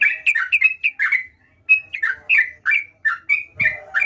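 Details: Sooty-headed bulbul singing steadily: a lively run of short, bubbly, slurred whistled notes, rising and falling, in quick phrases of about three notes a second with one brief pause, and a soft low thump near the end.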